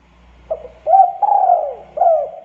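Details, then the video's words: Spotted dove (derkuku) giving low, mellow coos: a short note, then a long drawn-out descending coo and another swelling note, smooth and hollow in tone, with a faint low hum behind. "PANCINGAN DERUK DERKUKU GACOR MANGGUNG SUARA ENAK DI DENGAR"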